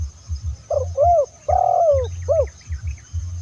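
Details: Spotted dove cooing, used to lure other doves: a short series of soft mellow coos, with one long drawn-out note in the middle, over steady low rumbling background noise.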